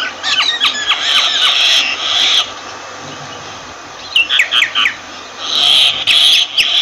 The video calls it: Myna Bird sound Voice